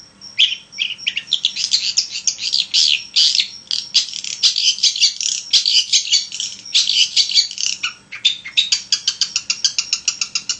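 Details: Long-tailed shrike singing vigorously, a lure intended to set other shrikes singing: a long, varied medley of harsh chatter and high scratchy phrases, ending in a rapid series of short, evenly repeated clicks.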